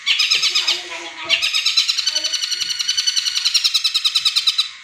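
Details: Caged long-tailed shrike delivering a tengkek buto imitation meant to coax other birds to sing. A brief pause follows an opening burst, then a long, fast, buzzy chatter of evenly repeated notes.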